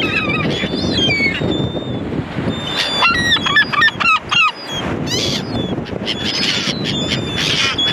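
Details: A flock of gulls makes a noisy chorus: drawn-out wailing calls, rapid clipped yelps in a fast series, and a brief quieter gap before the calling resumes, over a rushing background.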